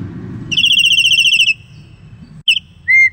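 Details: Black-collared starling singing: after a quiet start, a loud, rapidly trilled high whistle holds for about a second, followed by a brief warbled note and a short, clear, flat whistle, over faint low background hum.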